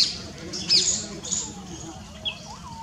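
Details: A group of Brahminy starlings bathing energetically, Keoladeo National Park, Bharatpur, Rajasthan, India, 11 March 2024; harsh, high squawks and short scratchy notes, with a few thin rising whistles near the end. Brahminy starling.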